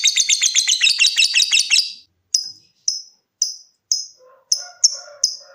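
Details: Lovebird song that moves between trilling and ticking, meant to set off other lovebirds: a fast shrill trill for two seconds, then single sharp ticks roughly every half second, with faint chirps from another bird.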